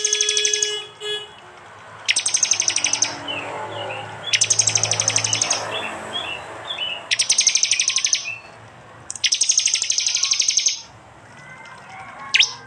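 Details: Loud 'tembakan' bursts of prinia song, phone-recorded in East Java and edited into a training mix: four rapid high ticking volleys, each about one second long, separated by quieter gaps with faint chirps.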